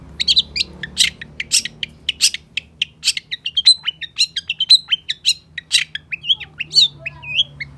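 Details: Long-tailed shrike pouring out continuous varied song: fast scratchy chatter, shrill squeaks and short whistled slurs tumbling together almost without pause, above a steady low hum.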